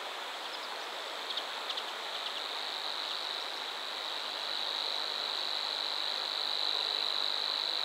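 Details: Savi's warbler (Locustella luscinioides) reeling song at Bolimów reservoir, Poland: a fast, insect-like buzzing trill held on one high pitch, louder and steadier in the second half, over a steady hiss of wind or water.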